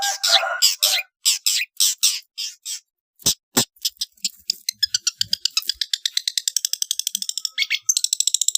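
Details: Long-tailed shrike masteran training song for competition birds, with rough 'tembakan' fill: harsh rattling bursts early, then rapid repeated sharp ticking notes speeding up, plus a brief whistle near the end.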